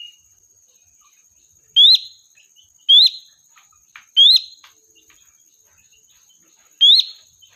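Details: Sooty-headed bulbul, a lively lure bird, calls to draw its flock. Sharp, bright upward-flicking chirps are repeated about every one to two seconds, over a constant thin high-pitched whine.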